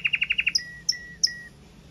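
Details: Red Mosaic Agate canary with a short phrase of powerful song: six quick repeated chips, then three high notes, each sliding down into a level whistle.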